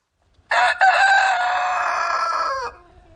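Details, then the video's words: A loud crow from a rooster. A brief first syllable runs into a long, steady, strongly harmonic note lasting about two seconds, then drops away at the end. Faint low rumble follows. "Rooster Crowing Loud"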